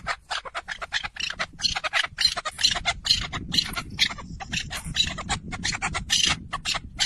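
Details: Red-legged partridge song, amplified: a fast series of dry, rasping chuck notes, each short and harsh, repeated several times a second with brief pauses between bursts.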